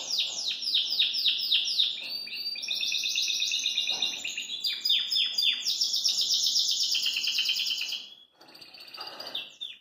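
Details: Belgian canary (Serinus canaria domestica), caged and hopping about, sings a long, rapid song of bright high trills and rolling phrases, shifting between quick chirped notes and sustained warbles.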